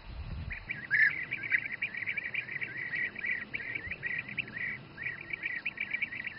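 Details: Bee-eaters feeding their young in the Přerov region, Czech Republic, give a steady stream of rolling, liquid trilled calls, several birds overlapping in a busy chorus with no pause throughout.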